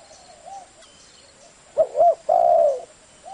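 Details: Spotted dove cooing in the thổ voice style, used to provoke wild doves: a soft lead note, then a quick double coo and a long, level, hooting coo.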